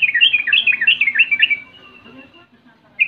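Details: Sooty-headed bulbul in taunting 'rol' lure song: a quick run of slurred, warbling up-and-down notes for about one and a half seconds, fading out, then a brief fresh note at the end.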